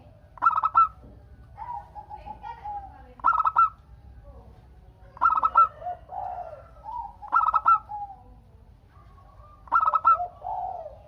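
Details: Local zebra dove from Indonesia, singing to prompt other doves to reply; five bursts of rapid rolling coos about every two seconds, interleaved with softer, lower, gliding coo phrases.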